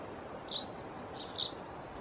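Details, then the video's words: Fledgling common chaffinch begging: two short, high, sharp chirps about a second apart over a steady low rumble of background noise. "слеток зяблик"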